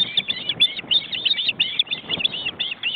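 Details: Ospreys at a nest in an Estonian forest reserve, filmed by a live webcam: two adults and well-grown chicks crowded into the nest, chicks flapping their wings. Rapid, irregular high chirping whistles run continuously over a noisy background.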